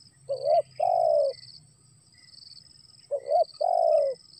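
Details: Spotted dove calling, rain beginning to fall: two phrases each of a quick double note and an extended descending coo, separated by a pause about three seconds long. High insect hum persists.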